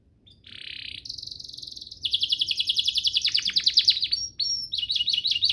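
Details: Canary master song for training young singers: a buzzy hiss-like opening, a high steady trill, then rapid rolling downslurred notes and repeated quick chirps.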